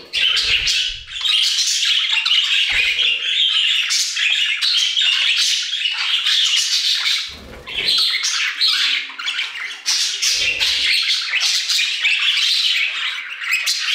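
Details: Budgerigars in an aviary chatter in a dense, continuous warble of squeaky chirps and scratchy squawks.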